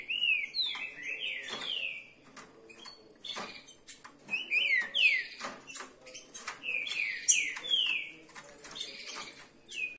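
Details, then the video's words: Several Green-winged saltators are put to a singing test together. They give loud, rich whistled phrases of slurred rising and falling notes, with more than one bird overlapping, and sharp clicks and knocks are heard in the background. "Coloquei meus Trinca Ferros para prova de fogo - Pássaro pixarro ave"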